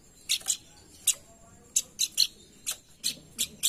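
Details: Pelanduk bukit (hill babbler) calls used as a lure to stimulate other birds to sing: scattered short, harsh, high chips, single or in pairs, separated by brief pauses, over a quiet background.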